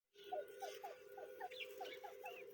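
Grey francolin chicks give soft, short, down-slurred peeps about four times a second, with a few higher chirps, over a steady low hum.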